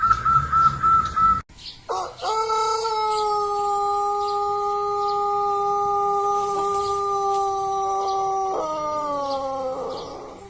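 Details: Pelung chicken, a native Indonesian ornamental breed from Cianjur, West Java, gives a long, melodious crow. After a brief unrelated sound, one steady, tuneful note is held for about six seconds, then steps down and trails off near the end.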